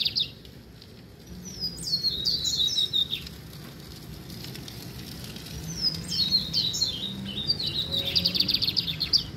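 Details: Song of a brown-plumaged lined seedeater: two phrases of high slurred whistles followed by rapid trilled notes, over a noticeable hiss and low rumbling background.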